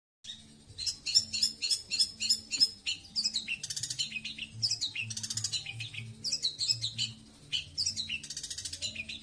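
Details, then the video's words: Long-tailed shrike singing in the 'tembakan slow' style: a string of evenly spaced sharp high notes, then fast scratchy, varied phrases in bursts, over a soft rhythmic low hum. "tembakan slow maen aman"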